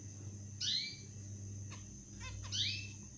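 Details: Young zebra finches, six days old, make two brief, high, descending harmonic squeaks almost two seconds apart. A constant low hum and faint soft knocks sit underneath.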